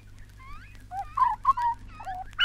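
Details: Grey Butcherbird in Australia, from a 1968 vinyl wildlife recording, giving a few rich, fluted piping notes, mostly slurred downward, in a quick phrase over a steady low hum.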